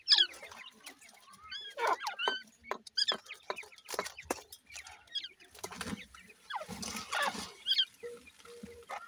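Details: Grey francolin chicks squabble in a fight: rapid thin chirps and curved peeping notes over a run of sharp taps and scraping noises, with a short hissy rustle midway.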